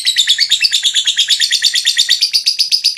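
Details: Lovebird in long 'ngekek' chatter song, used as therapy sound to stimulate rival lovebirds to sing; rapid, harsh, high chattering notes repeated about three times per second, steady and unbroken throughout.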